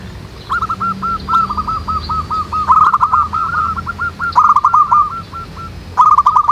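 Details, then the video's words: Many local zebra doves singing (manggung) in the wild: long overlapping strings of hooked cooing notes, with several loud bursts of rapid stuttered notes, and faint high chirps from other birds. "SUARA BURUNG PERKUTUT MANGGUNG RAMAI DI ALAM"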